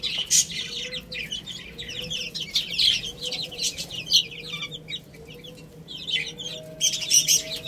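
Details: Little chicks eating rice chirp steadily, high thin peeping notes in quick bursts, with a faint steady hum beneath.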